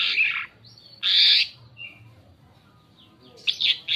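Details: Asian pied starling lure song: two loud harsh squawks about a second apart, a short whistled note between, then a quieter spell and a final pair of rasping bursts.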